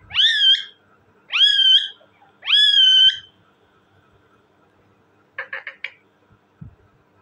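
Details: Pet talking parrot repeating three long, strongly harmonic calls that rise sharply then hold steady, roughly once a second, followed by a short burst of quick stuttering chatter and a soft click.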